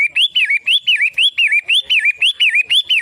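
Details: Long-tailed shrike pouring out a fast, even series of bright whistled notes, each swooping up and curling down, around eleven in three seconds, with no other sounds.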